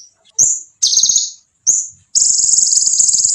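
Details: Konin singing to provoke rivals: sharp high chips and a short buzzy burst lead into a sustained, very high, rattling buzz.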